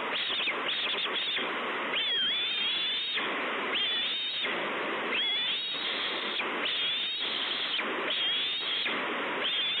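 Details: Bald eagle chick at Two Harbors, 30 May 2013, screeching while looking for food: repeated thin, quavering whistled cries, several per few seconds, under constant heavy wind rush.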